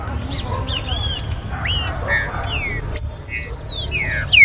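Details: Green-winged saltator, used to warm up and stir captive birds into singing: loud, clear whistled phrases sweeping down, overlapping with other whistles and sharp high notes over a low hum.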